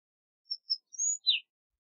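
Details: Two thin high pips and a longer rising thin whistle lead into a lower, rough, downslurred burry note, the sequence attributed to an Ash-throated Flycatcher, on a silent background.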